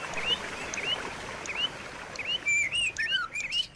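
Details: Murai batu, the white-rumped shama, singing as a lure to get a silent shama singing again: a run of quick rising whistled slurs, some paired, with sharp high chips and short clicking notes between them.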